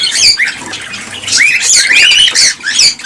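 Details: Cockatiel chorus for stimulating breeding: loud continuous squawking with clear upward-sweeping whistles and scratchy chirps crowded together.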